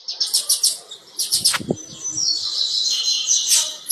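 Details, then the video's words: Female rusty-collared seedeater said to be ready for breeding: a series of high, rapid chirps in quick bursts, then a sustained high whistled note with thin overtones, plus a brief lower rustle or wing flutter. "FEMÊA DE COLEIRO PAPA-CAPIM PRONTA"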